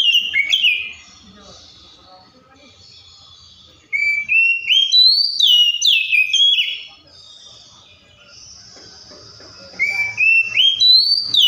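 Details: An Oriental magpie-robin gives loud, clear whistled song bursts separated by quiet gaps of several seconds. Each burst holds notes stepping upward and sharp falling slurs.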